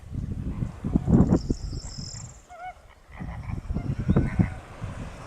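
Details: Greater flamingos honking. Two bursts of deep, goose-like gabbling are separated by a short lull that holds a few thin, rising nasal notes. A faint high hiss runs underneath.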